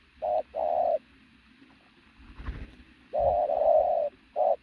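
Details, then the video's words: Powerful close-up cooing from an athletic-looking pigeon: loud low hooting notes, short and long, with a brief soft rustle between coo bursts. "bồ câu tướng lực sĩ,,Gù âm to cực tốt"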